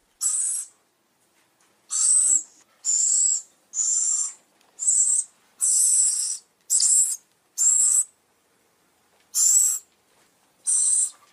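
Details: Owl calls used as a lure for attracting other birds: ten harsh, hissy, high-pitched screeches, each about half a second long, separated by short silent gaps of irregular length.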